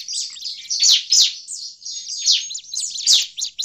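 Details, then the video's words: Agitated Bar-winged prinia call, used as a lure in forest. Loud, buzzy high bursts repeat about every half second among softer looping chirps and a thin, drawn-out whistle. "suara ciblek ribut"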